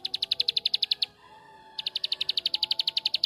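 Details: Bar-winged prinia singing 'tembakan' (shooting) song to spur other prinias: a fast run of bright high chips, a short lull with faint lower tones, then another equally rapid run.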